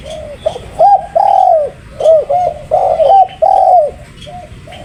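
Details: Spotted dove cooing steadily: a run of low, mellow, arched notes, some drawn out and some clipped, in loud bursts with short quiet gaps.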